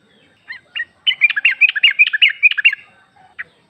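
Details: Sooty-headed bulbul female (trucuk) calling a male, used as a lure: two lead-in chirps, then a rapid chattering phrase of bubbly notes, ending with one isolated chirp.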